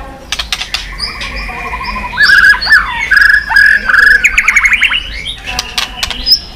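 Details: White-rumped shama, stimulated to sing while flicking its tail. Varied warbling phrases with quick trills and bright slurred whistles that build in loudness midway, mixed with sharp clicks.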